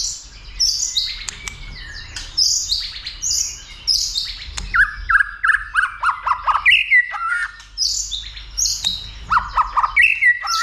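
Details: Agitated white-rumped shama roused to sing heavily and spar; varied high whistles give way to a run of lower, rapid repeated notes, then more fluty phrases near the end.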